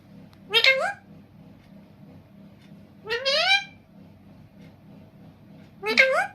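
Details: A pet talking parrot named Mitthu speaks in three short, shrill, voice-like bursts a few seconds apart, each with a swooping rise in pitch, over a low indoor hum.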